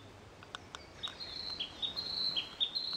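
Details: Male Narcissus flycatcher recorded by digiscope at a breeding site on 25 May 2013, during a territorial contest between two males. A couple of sharp clicks, then a rapid, high, rippling string of whistled notes rising and dipping, growing louder toward the end.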